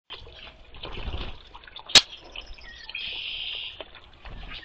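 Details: A Red-winged Blackbird (Agelaius phoeniceus) sings a short run of notes that end in a steady, buzzy trill, over constant trickling water and one sharp click.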